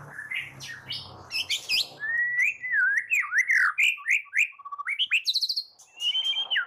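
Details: White-rumped shama morning song used as a lure to make shamas sing: a rich run of varied whistled phrases, sliding up and down and delivered in quick succession, with a few harsher high notes and a faint low hum at the start.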